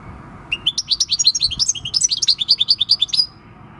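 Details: European goldfinch of field origin, aged six, singing on 26 December 2019: a sustained run of about thirty quick, bright twittering notes with liquid, bell-like quality, ending abruptly.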